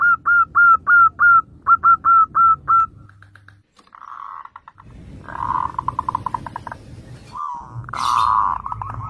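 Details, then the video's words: Zebra dove singing as a lure for other doves: about nine crisp hooked coo notes, then softer buzzy rolling phrases with stuttering pulses and a louder rough burst near the end. "PERKUTUT GACOR syahdu buat Kelangenan Pancingan Perkutut Bahan"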